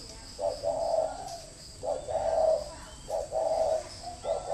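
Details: Spotted dove kept as a decoy bird in a bird garden at Ba Vì, Hanoi, Vietnam, calling in the style known as thổ mổ còi: low, hollow cooing phrases of about a second each, repeated four times with short pauses, over a quiet background.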